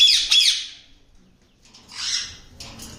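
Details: A yellow rose-ringed (ringneck) parakeet from a pet breeding pair gives harsh, screechy squawks indoors: a loud burst at the start, then two rougher, quieter calls after a pause.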